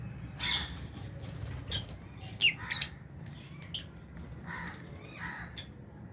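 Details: Aviary lovebirds, albino and Fisher's, feeding among budgies: a string of rasping chirps and shrill squawks at irregular intervals, some sharp and loud, others softer, over steady low background rumble.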